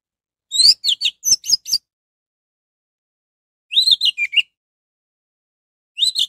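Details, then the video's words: An orange-headed thrush sings to draw other birds into song: short bursts of fast, sliding whistled notes, a second phrase with a falling slur, and the start of a third, with quiet gaps between. "Anis merah gacor || suara anis merah untuk pancingan"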